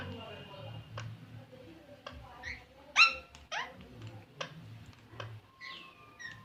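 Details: Green parrot with loud, sharp rising squeaks and one piercing harmonic squawk, mixed with a thin steady whistle and soft background talk in a room.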